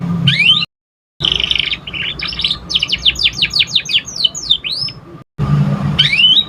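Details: A young canary learning to sing: a rising whistle, a buzzy note, then a trill of about twelve evenly repeated downslurred chirps, ending with another upslurred whistle, over a low humming background.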